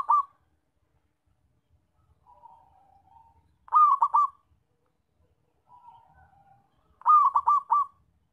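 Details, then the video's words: Zebra dove with a strong voice, used as a decoy for trapping. Phrases repeat about every three and a half seconds: a soft wavering trill, then three or four loud, rapid, rolling coos. "PERKUTUT SUARA KENCENG BAGUS BUAT PANCINGAN DAN PIKAT"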